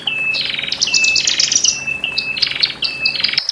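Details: Horsfield's bush lark song from a male and female, played to calm newly caged birds taken from a flock: layered, high whistled notes and quick warbled bursts, overlapping and continuous, with faint background hum.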